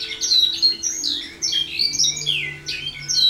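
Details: Canary in early song training sings wild bird notes (silvestres) built into compuestas, with a bit of rodada; dense high sweeping whistles and chirps tumble quickly, loud and close, a faint steady hum below.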